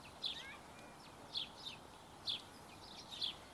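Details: Barn swallow chicks being fed: high, short chirping bursts around one second apart, a few clustered notes each, over steady background hiss.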